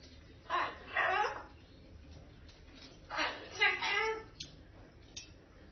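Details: Pet cockatoo watching the neighbours at a vacation home gives two short bursts of raspy, speech-like chatter about three seconds apart, with a faint room hum between them.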